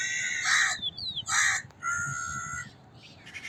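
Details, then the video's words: Crow with three harsh caws, two short and sharp and a third longer and flatter, amid faint high chirps of small birds in the background. "Sound of a Crow - Crow Cawing Sound Effect"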